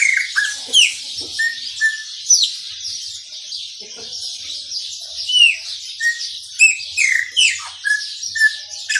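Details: Sustained chopi blackbird song in the maranhãozinho style: varied whistles, sharp downward slurs and short level notes come in irregular bursts, with a constant high hiss behind.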